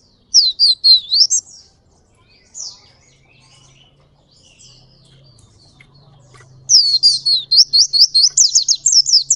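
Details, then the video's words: Pleci Ngalas (Oriental white-eye) singing steadily in long rolling 'ngerol' style: a burst of high, quick, wavering chirps, a few lone notes, then a longer run of rapid up-and-down warbled notes, with a faint low hum underneath. "Pleci Ngalas Gacor Ngerol Durasi Panjang"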